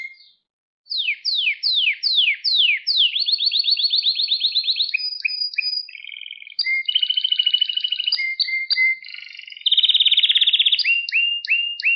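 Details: Long canary song passage for training young pet canaries: six falling whistled sweeps, then a fast trill followed by chirps and a series of varied rolled trills, closing with a high buzzing trill.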